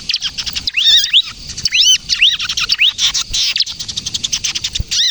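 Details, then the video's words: High-pitched bar-winged prinia song, a crystal-type ciblek used to lure birds and spur young prinias to sing; arched whistled notes alternate with fast, even runs of short chirps. "suara burung ciblek kristal gacor, ciblek kejepit untuk pikat dan pancingan ciblek bahan agar bunyi"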